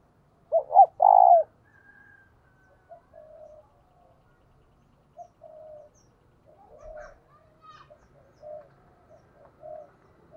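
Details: Spotted dove used as a decoy, cooing in the thúc and gáy gọi styles: one loud phrase of quick short notes running into a drawn-out purring coo, then fainter, softer coos trailing off in a quiet setting.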